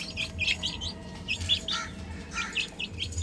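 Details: Chicks playing on a roof, chirping in a busy flurry of short, high peeps, many overlapping in quick irregular bursts, over a low steady rumble.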